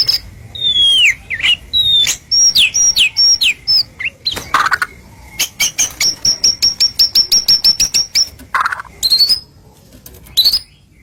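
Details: White-rumped shama masteran for provoking other birds: sliding whistles and harsh buzzy bursts, then a long fast series of about twelve identical high sharp notes, followed by short rising whistles.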